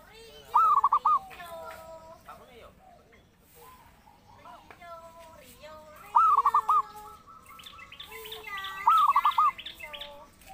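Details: Zebra dove cooing phrases of a rising note and quick stuttered coos, used to lure and train birds. Other bird whistles and harmonic calls fill the gaps between three phrases.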